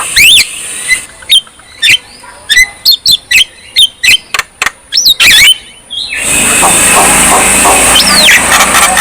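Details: Javan myna in lively, vigorous song: a rapid series of sharp clicks and high squeaky whistles with a steady high tone, then a wash of broadband hiss and one rising whistle near the end.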